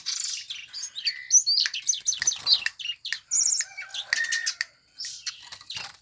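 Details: Sparrow favoured by songbird fans, singing a varied jumble of chirps, squeaks and short whistled notes with fast shifts in pitch.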